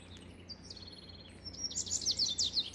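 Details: Faint descending whistles give way to a double-collared seedeater's loud, fast song burst of piercing, buzzy twitters in the final second.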